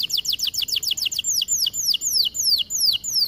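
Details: Canary song for training: fast series of high downward-sweeping whistled notes, about three per second, slowing into longer descending slurs toward the end.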